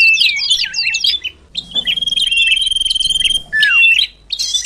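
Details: Common iora lure call to bring birds nearer: tumbling twitters, a long level whistle over a soft ticking rattle, then a sharply falling note and a brief buzzy burst.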